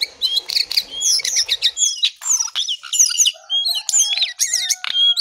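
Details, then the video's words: Song of a lesser shortwing: dense, high-pitched warbling with sliding whistles and trilled notes tumbling one after another, a busy, unbroken chattering stream. "Jongkangan/Cingcoang coklat paling gacor"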